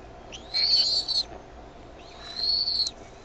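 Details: Bald eagle eaglets at the Decorah nest, 13 May 2015, early evening, calling as their mother arrives with food; two long, high, thin whining squeals, each rising briefly at the start, separated by about a second of quiet.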